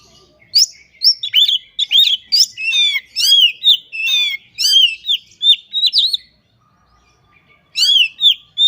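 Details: Kacer, a white-rumped shama, singing energetically in full voice: a fast varied stream of loud whistled, slurred and rising-falling notes with buzzy chatters, a short pause, then resuming.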